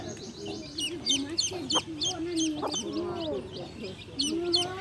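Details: Domestic hen with baby chicks: high, quick down-slurred peeps from the chicks scattered over low, murmuring clucks and drawn-out hen notes, the two voices overlapping throughout.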